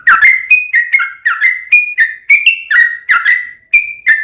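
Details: Sooty-headed bulbul in full song: a steady string of clear whistled notes, each sliding or bending slightly, about three per second and changing pitch a little from note to note.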